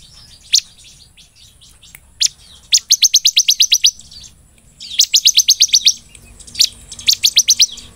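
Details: Talkative ciblek in golden-grasshopper style song, used to tutor and lure other birds: isolated sharp chips, then three long rapid trills of about eight to ten clipped high notes each, separated by short gaps.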